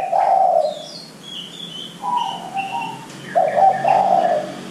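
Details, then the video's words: Zebra dove song played as a lure to get young doves calling: low, rolling coo phrases, a loud burst opening and another near the end, with thin high chirps of other small birds between them. "Pancingan Derkuku Muda Agar Cepat Bunyi"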